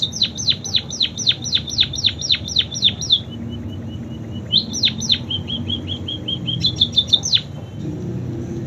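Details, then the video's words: Canary imitations sung by a munia: long runs of quick, shrill, downward-slurred notes, broken by a soft string of quiet ticks, then renewed sweeps ending in a rapid high buzzy trill; faint low background noise. "Burung PIPIT Full isian KENARI"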